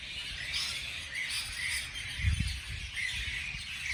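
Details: Birds chirping on a beautiful morning, with brief whistled notes and slurred chirps from several birds layered together. A low thud sounds near the middle.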